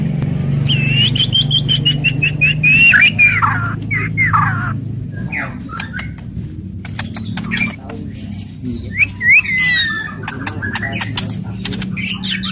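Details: Murai batu singing aggressively to provoke others: a long descending series of whistled notes, then clicks and slurred phrases, with a loud low hum throughout.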